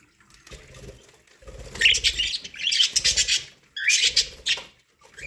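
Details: Pet budgies eating corn let out dense, grating chirp sequences in three bursts, mixed with rustling and pecking.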